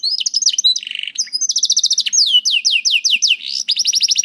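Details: Caged canary singing a master song meant to prompt young and quiet canaries to sing: varied rolling trills, a short buzzy rattle, series of sweeping descending whistled notes and a closing rapid trill, continuous and bright.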